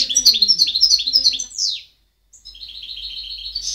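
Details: Singing goldfinch, 2010: a quick series of high, sweet repeated chirps ends in a falling slurred note, then after a short pause a steady, rapid run of bright, tinkling notes.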